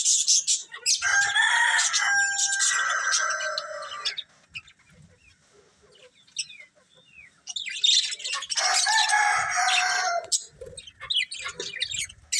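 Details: Budgies chirping in two long bouts of busy, scratchy warbling chatter, split by a quieter stretch of scattered soft chirps.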